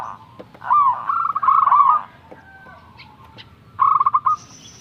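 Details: Young local zebra dove singing readily, used as a master recording to stimulate lazy doves: soft, rolling, stuttered coos at medium pitch in two bursts with a pause, faint clicks and a thin high tone near the end.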